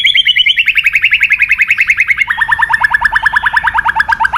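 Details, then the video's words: Rousing White-rumped shama song: an unbroken rapid trill, roughly ten notes a second, falling steadily and dropping a step midway, ringing and metallic in tone. "AWAS MURAI BATU MU IKUT EMOSI"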